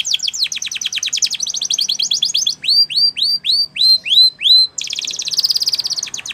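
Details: Training song of a Spanish Timbrado canary for young canaries, changing tours: rapid rattling trills, then a slower series of loud hooked whistled notes about three per second, then a dense buzzy high trill.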